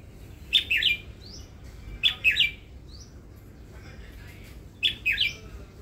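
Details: Caged red-whiskered bulbul, a newly acquired pet kept for its voice, giving short bright warbled phrases of three quick notes, repeated about every two seconds, with faint thin upslurred whistles between phrases over a low background hum.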